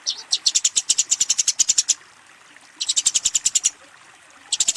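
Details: Eurasian tree sparrow fighting and calling a rival: bursts of fast, sharp, high chirps, roughly a dozen per burst, separated by brief pauses of about a second, a third burst starting at the end.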